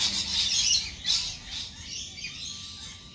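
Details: Lorikeets at a lorikeet cafe, loud rasping screeches opening the recording, then a second burst and fading chatter, over a steady faint tone and low background rumble.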